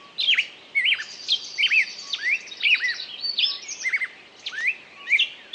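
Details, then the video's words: Singing bird gives clear looping whistled notes, each a quick up-and-down slur, spaced about half a second apart over a faint high trill. "пение птицы"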